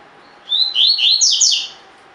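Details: Single tui-tui phrase from a caged double-collared seedeater used as training song: a clear whistled note followed by a rapid run of bright downward-sweeping slurs lasting just over a second.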